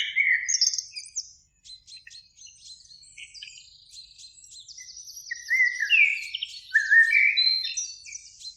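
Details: In spring, in a beech tree near a lake at evening, a Eurasian blackbird, one of two singing, gives soft fluted phrases among steady high, thin chirps and trills of other birds, ending in louder rising whistled notes.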